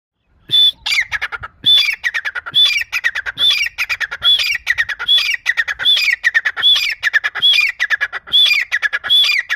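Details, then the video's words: Grey francolin, called teetar, calling: loud, harsh repeated phrases, each a high whistled note followed by a rapid stutter of grating notes, about once a second throughout. "grey Francolin sound #shorts sound teetar reels Francolin calling"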